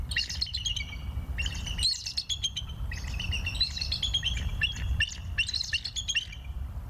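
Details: Bald eagles at Decorah on a live nature cam, 21 November 2022 at 19:20: four rapid runs of high, piercing chittering notes, each about a second long, separated by short pauses, over low wind rumble.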